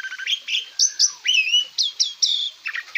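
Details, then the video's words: Varied song of an Asian pied starling from a master track for cage-bird training, made of bright whistled slurs, rising notes and short chirps in quick succession. "Masteran jalak suren joss"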